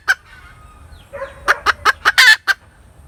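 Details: Cackling hen: a single cluck, a soft drawn-out note, then a quick run of clucks ending in a loud, raspy, extended squawk.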